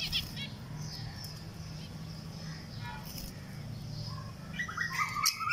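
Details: Three zebra finch chicks, two weeks old, give thin, faint chirps, then a burst of sharper calls near the end.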